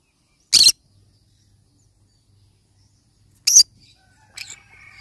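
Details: Two short, explosive harsh squawks about three seconds apart from a yellow-sided conure parrot, followed by faint rough chatter and a thin trailing note.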